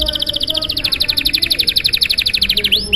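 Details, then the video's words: Canary delivering an extended 'gacor' song in luxurious style to encourage other canaries to sing: a rapid trill of bright, high, clipped notes, about four per second, ending with two upward-sliding whistles. "Suara Burung Kenari GACOR PANJANG Gaya Mewah! Buat memancing Suara Kenari lain Agar IKUT GACOR"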